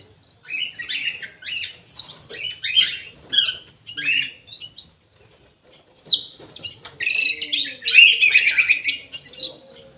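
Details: Aviary-kept Orange-headed thrush delivering a varied song of short whistled and chattering phrases, some notes very high, with brief pauses between bursts and a fuller, louder stretch in the second half.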